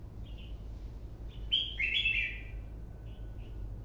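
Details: White-cheeked red-whiskered bulbul singing in a style likened to "chi già": a short burst of bright, tumbling warbled notes in the middle, with softer whistles before and after over a steady low hum.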